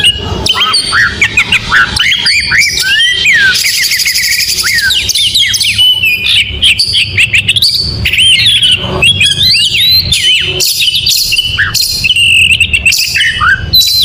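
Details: Long, vigorous morning performance by an oriental magpie-robin: fast chattering trills, buzzy stretches and sweet rising whistles alternate in dense phrases, barely pausing over fourteen seconds.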